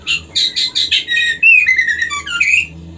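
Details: Captive-breeding white-rumped shama song, used to prompt pairing and mating: quick sequence of bright whistled notes followed by fast twittering, slurred whistles and a descending run.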